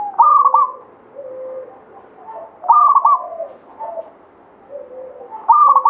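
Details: Zebra dove, a local Banyumili katuranggan bird in full voice, giving its cooing phrase three times. Each phrase is a loud burst of rapid bubbling notes followed by softer low purring coos, about every two and a half seconds.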